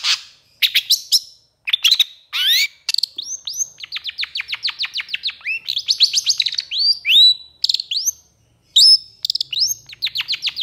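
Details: Excited long-tailed shrike delivering a long bursting song, kept as tutor material for stressed shrikes. Sharp high chips give way to long runs of rapid rising whistled notes, with a brief pause near the end.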